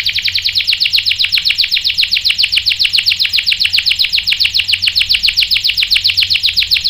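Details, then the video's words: Canary rolling song, used as a lure to make a male sing back. Loud, continuous rapid repeated notes, roughly seven a second, bright and even throughout. "PANCINGAN KENARI GACOR bikin EMOSI jadi NYAUT GACOR NGEROL | CANARY SINGING"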